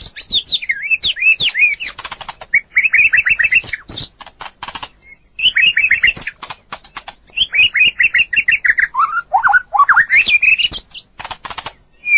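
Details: Extended white-rumped shama song meant for training other birds: bursts of quick downslurred whistles alternating with dry clicking rattles and scratchy notes, several phrases separated by short gaps.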